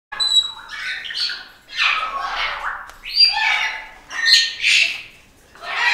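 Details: A lively flock of parrots, including a medium sulphur-crested cockatoo chewing up branches, gives loud, harsh, grating squawks in overlapping bursts about every second, rising and falling in intensity.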